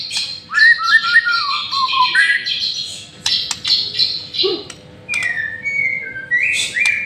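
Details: White-rumped shama lure song mixing harsh buzzy rasps with descending whistled notes, sharp clicks, and clear upslurred whistles toward the end.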